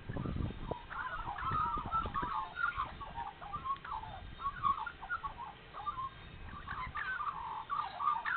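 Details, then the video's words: Several Australian magpies warbling on a spring morning at Nowra, NSW, after a feeding; a continuous run of fluty, jumbled, gargling notes, with a low thump and rumble at the start. "Spring Magpies singing Nowra NSW"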